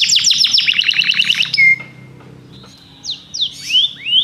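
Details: Belgian canary giving a fast series of downslurred chirps, a brief level whistle, a near-silent pause, then soft scattered slurred notes that rise again.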